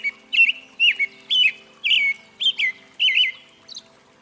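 An American robin sings a run of clear, warbled phrases, each rising and falling, about seven in four seconds, with a faint low hum beneath.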